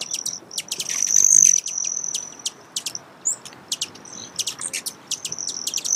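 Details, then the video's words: Broad-tailed hummingbird: a thin, very high steady buzzing trill broken into segments, with sharp clicking chip notes scattered throughout, about four per second in places. "Broad Tailed Hummingbird Sound, Bird Call"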